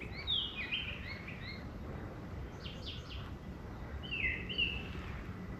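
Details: A brown thrasher singing high in a tree by a flooded lake trail in Marion County, Ohio, midday on 9 April 2025: varied, slurred whistled phrases in short bursts, some paired, mid to high pitched, over steady low background rumble.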